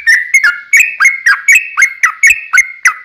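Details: Sooty-headed bulbul in a fight, its long 'ropel' song used as a lure for other bulbuls; fast chain of liquid, slightly dipping whistles, about four notes per second.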